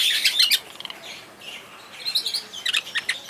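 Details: Superb starling at a bird park in Walsrode, Germany: quick clicking, chattering notes in a dense burst, a short pause, then further stuttering squeaky phrases.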